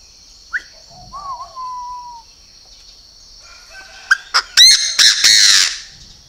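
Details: Purebred Chinese francolin calling: after faint whistled notes, a loud burst of harsh, ringing notes, a few short sharp ones then longer rasping harmonic ones, over a steady high insect-like hum.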